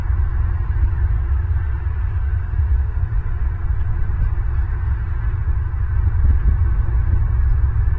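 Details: Loud, constant low-pitched rumble and hum, with no animal sounds heard.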